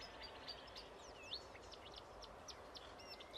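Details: A marsh warbler near Rijssen, Netherlands, on 25 May 2016 sings a fast, varied run of high whistles, chirps and slurred notes, almost one every quarter second, over a steady background hiss.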